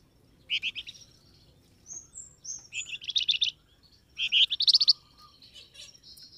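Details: Flamboyan bird call for luring wild birds to reply, made of short groups of bright, rapid chirps with thin whistled notes between them and a long, busy chattering phrase near the end.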